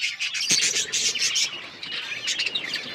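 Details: Pet budgerigars in a busy flock chorus, rapid overlapping chirps and buzzy warbles with a sharp click near the start, chatter running steadily throughout.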